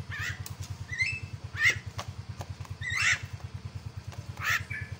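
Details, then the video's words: Myna calls meant to provoke a rival bird: four loud, harsh screeching notes spaced about a second or more apart, some followed by a short whistle, above a steady low pulsing engine-like hum. "KICAUAN JALAK PEMANGGIL LAWAN"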